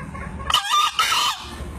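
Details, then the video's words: Green junglefowl crow from a two-year-old bird from Lombok, entered in a 2016 crowing contest: two short, loud, harsh bursts in quick succession, the second longer, over faint background hum. "KOKOK AYAM HUTAN HIJAU"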